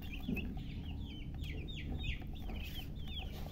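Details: Young chicks give loud, slurred peeps that sweep downward, a few each second, while low droning noise runs throughout.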